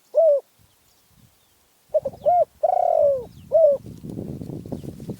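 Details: Spotted dove from Phrae, Thailand: a lone short coo, then a full phrase of quick double notes, a long falling coo and a final short note, with rustling noise rising at the end.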